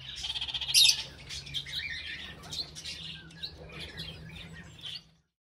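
Red-crowned amazon giving a loud, harsh squawk, then several seconds of raspy, broken chatter and squeaks over a faint low hum.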